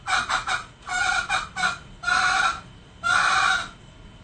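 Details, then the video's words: Male junglefowl crowing, recorded to lure wild birds: a run of four harsh, broad-toned crow bursts, the first two broken into choppy syllables, the last two smooth and sustained, spaced about a second apart. "Suara Ayam Hutan jantan"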